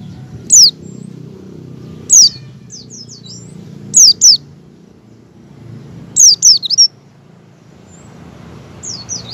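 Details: A captive Oriental white-eye practising its song gives thin, high, sharply descending chirps in short bursts every two seconds, some doubled or tripled, over a low steady hum. The recording is meant as a lure to get white-eyes singing.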